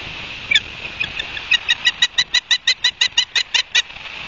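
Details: Ospreys at a nest in Barnegat Light, New Jersey, August 31, 2022, around 12:30, filmed by a live nest camera; after a few scattered notes, a fast run of sharp, high chirps repeats about six times a second over steady background hiss.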